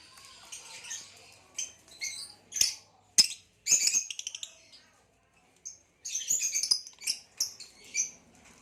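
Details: Hybrid green male and Lilian's (Nyasa) lovebirds chirping in captivity: dense high squeaky chatter in two long bursts, rapid trilled notes near the middle, separated by a brief silence.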